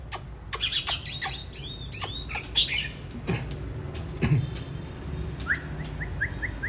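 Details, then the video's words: Winter 2023 recording of a bird in the 'than' lament style: a few high arched whistles and sharp clicks amid low rumbling noise, ending with six short rising notes repeated at an even pace. "Than già rừng mùa đông 2023"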